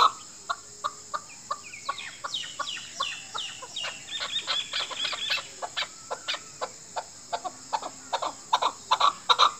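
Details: Chukar partridge calling to a female, a sound used by hunters: a long run of sharp clucking notes, roughly two or three per second, with a faint steady high hiss and brief chirps from other small birds in between.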